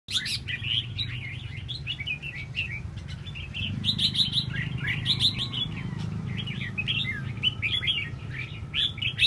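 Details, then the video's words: Red-whiskered bulbul fanning its tail, giving a busy run of bright chirped and warbled notes, many overlapping, with a steady low hum underneath. "Chao mao xoe duoi"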